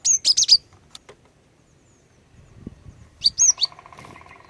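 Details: Female cinereous tit, its calls meant to draw males into song: a quick run of four high chirps, a pause, then three more sharp notes followed by a low pulsing hum.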